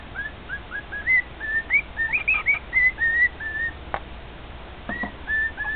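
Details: A male cockatiel in a home sings to two other cockatiels, delivering rapid, rising whistled notes that grow louder and denser midway, a sharp click, then a few final level whistles.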